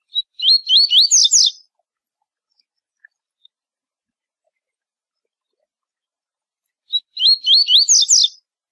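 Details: Double-collared seedeater tutor song for teaching young birds for competition: two brief phrases of quick, high, wavy tui-tui notes running into buzzy zel-zel trills, separated by about six seconds of silence.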